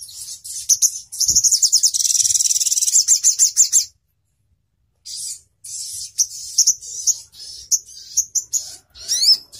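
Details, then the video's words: Crimson sunbird (sogon) song in the sharp, clear 'nembak ngalas' style, used in Indonesia as master audio for training songbirds: a fast, thin, high trill lasting over two seconds, a short silence, then scattered sharp high chirps and quick rising sweeps. "Sogon Bakal langsung NYAUT, NEMBAK NGALAS || Nembak Tajam & Suara Jernih"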